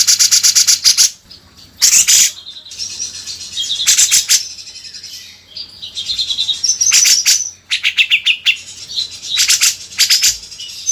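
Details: Grey-cheeked bulbul (cucak jenggot) in a tutor recording for training songbirds: loud bursts of harsh, high chattering notes broken by short pauses, with brief whistled phrases between bursts.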